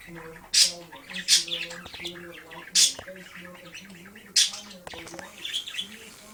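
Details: Pet budgie at play with a disco ball in sunlight, giving loud, harsh squawking chirps spaced a second or so apart, with softer twittering and a constant low humming tone between them.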